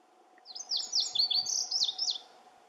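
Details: One of several Lazuli Buntings singing constantly at Camas Meadow gives a quick, high, jumbled song of sweeping down-slurred notes lasting about a second and a half, over a steady low background hum.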